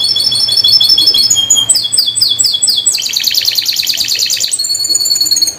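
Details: Atlantic canary song used as a lure to get non-singing canaries singing again: fast buzzy rattling trills and repeated high chirps, switching to lower rolling tours after three seconds, with a steady low hum underneath.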